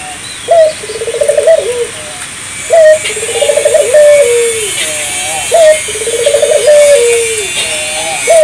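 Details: Spotted dove song as a lure for local doves. Three low phrases come at a steady pace, each a short coo, a tumbling rapid series and a long note drooping at the end, over faint background hiss.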